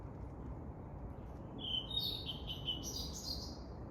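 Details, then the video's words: Nearby blue-and-white flycatcher, a common migrant in South Korea, heard in May or June. After a quiet, noisy start, a run of high whistled and trilled notes lasts about two seconds. "I can just hear the blue and white flycatcher."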